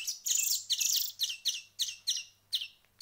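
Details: Hand-fed greenfinch nestlings, after about a week of hand-feeding, just woken for their morning meal, give harsh, high, wheezy begging chirps in quick bursts, about two each second, with a faint low hum behind.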